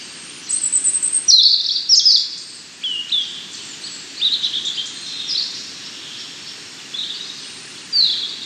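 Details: Song of the European robin: several separate high, thin phrases of sweet whistles and quick trills, broken by short pauses, with constant faint hiss behind.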